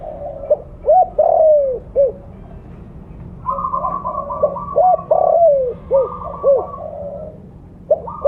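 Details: Vocal 'blorok' spotted dove with a big voice, used to lure others: two rounds of hollow coos, each with short arched notes around a longer falling coo. Nearby doves answer with rolling coos between phrases.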